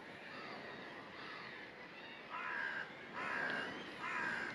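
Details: Water rail foraging with two juvenile chicks at Lake Chiemsee; three harsh, nasal, squealing calls of about half a second each come in the second half over a steady hiss of background noise.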